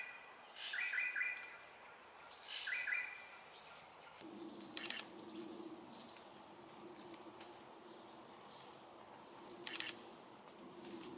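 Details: A just-fledged crimson sunbird in Singapore calls at regular intervals, probably telling its parents where it is, while its mother comes to feed it: two quick bursts of thin, high chips over a shrill insect hum and clicks.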